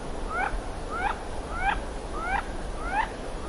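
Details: Wood duck calling: five rising, squealing calls, each sliding upward with a brief harmonic overtone. They come about every 0.6 seconds over a steady low background hum.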